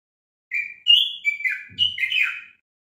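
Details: Common bulbul song meant for teaching captive bulbuls: a slightly longer phrase of five or six warbled whistles rising then falling, with a soft low thump partway through.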